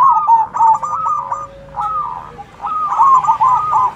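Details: Local zebra doves singing loudly in a 'manggung' style, answering one another: rapid runs of short, clipped cooing notes at a medium pitch, broken into bursts with brief pauses between them and a faint high ticking above.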